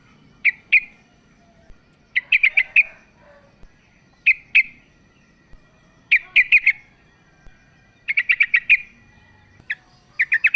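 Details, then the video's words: Yellow-vented bulbul female calling the male: scattered short runs of two to six sharp, high chattering notes, irregularly spaced, with brief single chips between the runs. "TRUCUK BETINA memanggil JANTAN"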